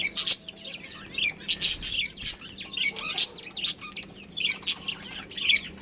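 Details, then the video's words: Chirping from a pet budgerigar breeding pair, with sharp high chirps in loud clustered bursts separated by brief quieter gaps of soft twitter, over a faint steady hum. "Cute Budgies Chirping Sounds"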